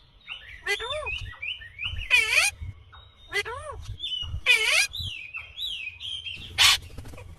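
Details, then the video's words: Ringneck parakeet giving arched, nasal squawks between two bursts of grating screech, with thin high whistled notes running across the top and a sharp rasp near the end. "Indian Green Ringneck Parrot Natural sound/Voice"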